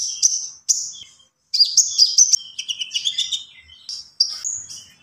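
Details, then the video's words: Common iora in lively song: two high whistled notes, a pause, then a busy run of chips and lower warbled notes, ending with clear high whistles. "SUARA BURUNG KONIN GACOR"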